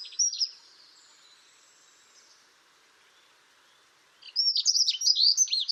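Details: Grey wagtail (Motacilla cinerea) on the Tállara river at Xei, Noia: sharp high metallic calls, a brief burst at the start, then a rapid run of clipped notes after a four-second pause, over a faint hiss.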